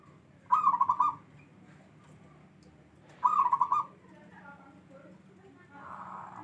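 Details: Local wild zebra dove, katurangan 'bedah karang', gives two short beaded coo phrases about three seconds apart, each a rapid string of soft pulsed notes ending in a held tone. Faint chirps and a low rumble follow.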